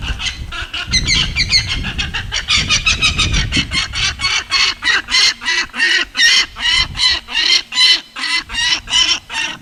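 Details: A captive, unreleasable female peregrine falcon at a raptor education center in Milford, Pennsylvania, noisy at first before quieting, gives a rapid series of harsh, grating cries, about three per second, with faint background murmur early on.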